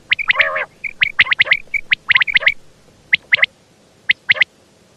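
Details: A female quail gives quick clusters of sharp, high, clicking double notes. A brief nasal squawk is heard early, then the calls thin to spaced pairs.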